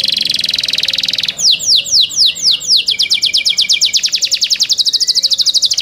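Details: Young canary singing: a fast buzzy trill opens, then a series of loud downward-sweeping whistles, followed by a long rapid rattle of repeated notes about four per second.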